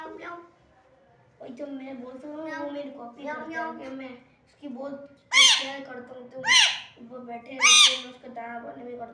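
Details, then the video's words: A green rose-ringed (ringneck) parakeet gives three loud, harsh, rasping squawks about a second apart, after several seconds of lower, speech-like chattering murmurs. "Green Ringneck parrot"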